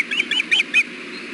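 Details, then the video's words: Osprey at the nest around a fish delivery: four short, high chirping notes in quick succession, followed by quiet background hum. "Hellgate ospreys 6.4.16 400pm fish delivery"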